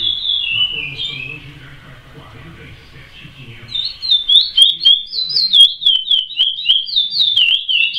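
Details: Chestnut-bellied seed finch (curió) singing in the "praia" song style: a clear whistled phrase slurring downward, a brief pause with faint low murmur behind, then a fast run of looping, warbled whistles repeated in quick succession.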